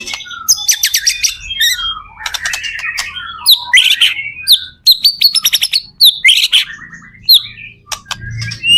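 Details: Loud, varied song of a white-rumped shama in good singing form, meant to prompt other shamas to answer: sharp high whistles, rapid stuttering notes and scratchy phrases, with a faint low hum beneath.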